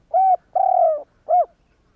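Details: Spotted dove coo, used to stimulate other doves into calling. A clean three-part phrase: a firm opening coo, a drawn-out, softly descending middle coo, and a short, arched closing note, all low and hollow.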